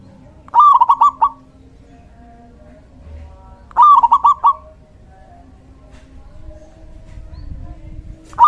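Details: Local male zebra dove in strong song, used to attract and provoke other doves: bubbly cooing phrases of four or five rapid notes, repeated about every three seconds, with low background rumble.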